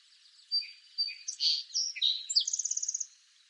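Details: Eastern North American song sparrow sings a complete song: two sharp whistled notes, buzzy slurred phrases, then a rapid, evenly spaced trill of about ten bright notes.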